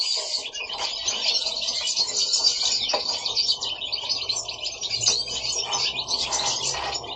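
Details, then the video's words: Pet goldfinches singing at home in Italy: a rapid, continuous jumble of high twittering notes and liquid trills, several birds overlapping throughout. "Goldfinches singing at home"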